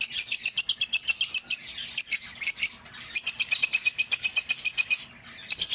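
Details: Lovebirds, a recording meant for luring back an escaped bird: rapid, sharp, high chirps in fast rhythmic bursts of about ten notes per second, with two short pauses between runs.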